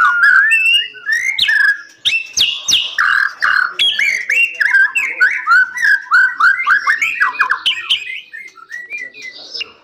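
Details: A captive white-rumped shama at a breeding facility sings a loud, rich stream of varied whistles, slurred phrases and harsh chattering notes, delivered rapidly and without pause.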